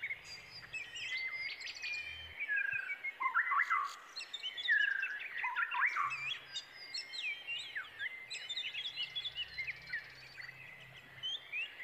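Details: Brown prinia young anticipating a food-carrying parent: bursts of excited, overlapping high chirps and twittering slurs, swelling in the middle into a louder jumble and continuing in smaller flurries across twelve seconds.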